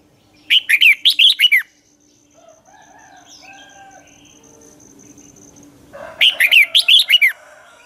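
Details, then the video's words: Red-whiskered bulbul kept as a lure for dueling song delivers two short bursts of rapid, bubbly warbled notes, with a low steady hum and faint chirps in the pause between. "chào mào hót đấu"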